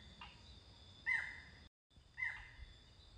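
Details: A barred forest falcon (Micrastur ruficollis) in Costa Rica gives short, sharp, slightly descending yelping notes, two clear calls about a second apart, over a steady background hiss.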